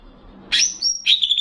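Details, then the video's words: Greater green leafbird (Banyuwangi cucak ijo) gives a varied master song meant to rouse other leafbirds: a sharp, high burst, then a sustained whistle and a quick run of bright chattering notes, with no other sounds. "VARIASI LAGUNYA NGERI || MASTERAN CUCAK IJO"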